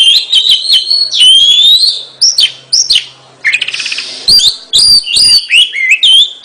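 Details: Kacer (Oriental magpie-robin) gacor song of looping whistled trills, a burst of rapid buzzy rattling, then crisp repeated whistled notes each with a downward flick.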